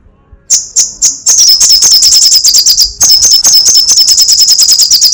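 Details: Crecetan chattering from a sunbird: three spaced high chips, then a long, quick, rattling sequence of sharp notes, broken once by a short gap.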